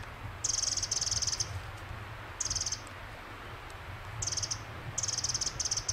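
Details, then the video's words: Pacific wren song on Fox Hollow Ridgeline Trail, Oregon: very high, rapid buzzy trills in bursts of about a second, broken by brief pauses, over a low steady rumble. "Pacific Wren"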